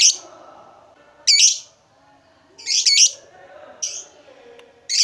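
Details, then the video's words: Harsh, raspy squawks from a lovebird kept by hobbyists, arriving in loud bursts about every one to two seconds, with lower soft chatter filling the gaps. "Lovebird Loyo Kembali Semangat Emosi Naik ikut Ngekek Rajin Bunyi"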